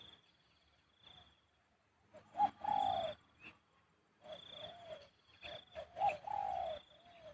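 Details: Spotted dove cooing in the khu-ang style heard more distantly: two phrases of short notes ending in a falling coo, over a steady high insect-like tone and faint background noise.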